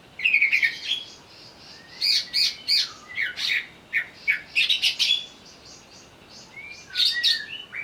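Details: Greater green leafbird singing while agitated, provoked to sing: loud bursts of harsh, buzzy chattering notes mixed with short whistles in clustered groups, with quiet gaps between phrases.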